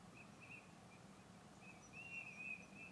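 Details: Eurasian teal (Anas crecca) at the Izliv Soče nature reserve, 15 February 2024, give faint, high, piping whistles in short runs, some drawn out and fluttering, over a steady low rumble of wind or distant traffic.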